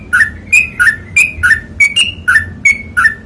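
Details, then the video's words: Sooty-headed bulbul (trucukan) in ropel panjang song: loud, close whistled notes in quick alternation, lower doublets and higher clear tones, about three per second for three seconds, low hum underneath. "MASTERING TRUCUKAN ROPEL PANJANG"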